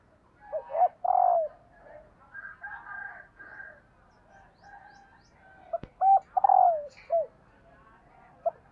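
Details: Spotted dove female calling to excite males: two phrases of clipped coos, a stuttered rattle and a falling end note, with a faint higher warbling between them and a sharp click before the second phrase.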